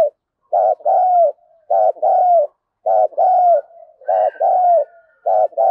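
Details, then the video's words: Spotted dove call used to stir a decoy bird into fighting. Cooing phrases come in close succession: clipped double notes, then a long falling coo, repeated about every second with brief gaps. "tiếng cu gáy Thúc Đấu dùng kích bổi thì phải nói nó hiệu quả"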